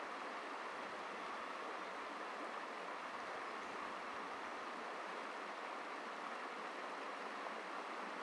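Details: Steady hiss of rushing stream water fills the recording evenly from start to end, with no bird calls audible above it.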